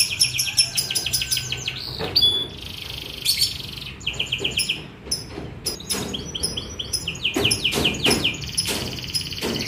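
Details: A young canary sings a fast, continuous song of high trills, rapid chirps and buzzy rolls, with quick repeated notes and sharp clicks; no other sounds stand out.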